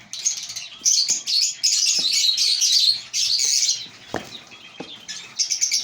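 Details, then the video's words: African lovebirds at a breeding colony: overlapping high squeaks and buzzy chirps in an uneven stream, with a sharp lower click near the fourth second. "Lovebird Singing & Chirping Sounds"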